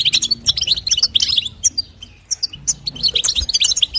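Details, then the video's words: Female European goldfinch chattering to stimulate the male, crisp bright chirps in tight clusters, a softer dip midway before loud twittering returns, faint low hum in the background. "نداء انثى الحسون لتحفيز طائر الحسون | بتبتة وستسته جديده"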